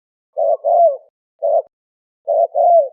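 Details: Turtle dove coos in quick succession: paired notes, a lone short coo, then another pair ending with a downward-sliding note, low and mellow with silent gaps.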